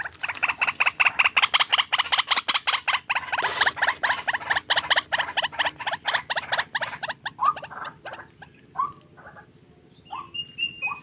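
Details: A tame white-breasted waterhen gives a long run of rasping, croaking pulses about two to three per second, then slows to scattered calls and a few higher, clearer notes near the end.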